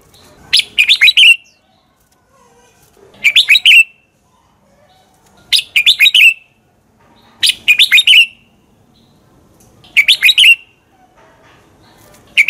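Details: Red-whiskered bulbul singing its combative song, meant for training other bulbuls to sing fired-up; five clear phrases plus the start of a sixth, each a quick, bubbling string of sweet whistled notes repeated every two to three seconds.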